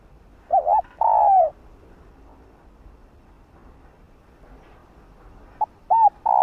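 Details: Cooing of a female spotted dove calling a male: a wobbling coo and a long falling note, then silence, then the phrase begins again with short soft notes at the end.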